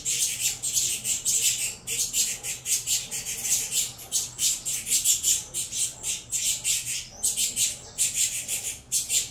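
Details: Captive saffron finch nestlings of a Venezuelan cross begging during feeding, giving a near-continuous stream of raspy, buzzy high squawks in pulsing bursts with only short pauses.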